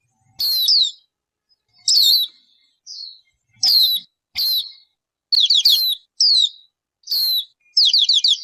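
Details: High, loud downslurred whistles spaced about a second apart, mixed with short quavering notes and quick triple-note clusters from a bird.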